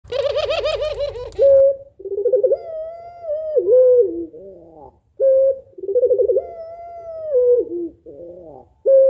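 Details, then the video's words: Spotted dove, female calling to get a lazy male to start cooing; a short harsh burst opens, then low mellow coos, each a steady note followed by a rolling, wavering phrase that dips at the end, repeated twice. "Puter Pelung Betina Memanggil Jantan Malas Agar Mau Bunyi Manggung Gacor Tak Kowor Kowor"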